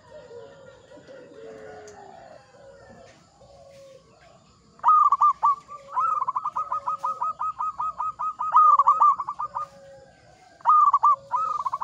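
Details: Steady-singing local zebra dove in Mataram 'ngepat' rhythm: quiet lower cooing for the first seconds, then a long, rapid, regular run of coos, followed by two more short phrases.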